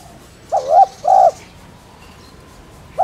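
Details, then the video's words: A spotted dove gives one low two-note coo, a brief wavering note and a longer steady one, then pauses before the next coo begins at the very end. "Tiếng Cu Đất Gáy , Cu Cườm Gáy Kích Bổi"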